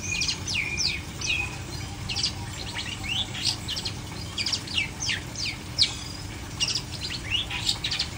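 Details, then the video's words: Uncovered caged long-tailed shrike singing a busy, varied run of sharp high chirps, short sweeps and clipped notes, delivered rapidly with brief pauses, against constant low background hum. "Cendet No Salto - No Kerodong"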